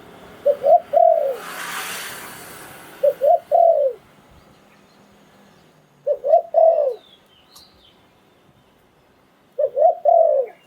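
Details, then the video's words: Spotted Dove decoy singer from Thailand, Sai Phon Liu Tan style. Four spaced phrases come about every three seconds, each with short rising notes and a long descending croon. A brief hissing burst sounds early on. "เสียงนกต่อดิน 2022 สายโผน หลิ่วตัน"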